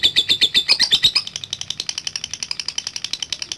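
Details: Lovebird chattering at length, used to provoke rival birds into answering; a rapid, even stream of shrill chipping notes, about four per second, louder and bouncier at first, then steadier and slightly higher, in a small room.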